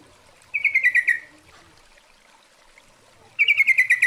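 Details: Female Yellow-vented Bulbul calling to a male, used as a lure sound: two bursts of about eight fast, bright chattering notes, each burst sliding slightly downward, separated by a quiet gap of nearly three seconds.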